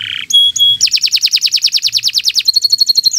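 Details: Canary in a long morning song meant as tutor material for other birds: a low buzz, two clear high piping notes, a rapid series of falling chirps, then a thin high steady trill.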